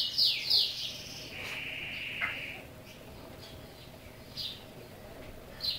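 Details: Chopi blackbird from Brazil singing in its cage: two loud bright chirps open, followed by a long steady whistled note held about a second, then sparse quieter high chips over faint background hiss.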